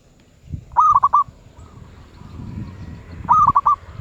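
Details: Zebra dove, medium voice ('suara sedang'), delivering two crisp stuttered coo phrases of four to five quick notes each, about two and a half seconds apart, with a faint softer coo between them and light background hum.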